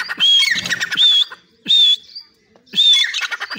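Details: A caged grey francolin (Ortygornis pondicerianus) in Pakistan, calling at the cage door, gives loud, harsh, ringing phrases with a high whistled note, repeated in three bursts a little over a second apart.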